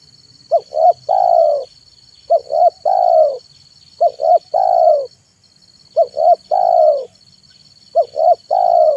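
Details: Afternoon manggung song of a tekukur decoy, the spotted dove used to attract wild birds: five phrases, each two quick clipped coos followed by one drawn-out, slightly descending note, spaced about two seconds apart.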